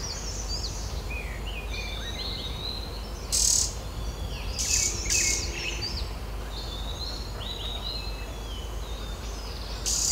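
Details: Green-backed tit pair breeding in a nest-hole in the knot of an old oak in a Uttarakhand Himalaya sanctuary, India, one adult flying in to feed chicks; thin high chirps and twitters, several loud knocks and rustles, steady insect hum beneath.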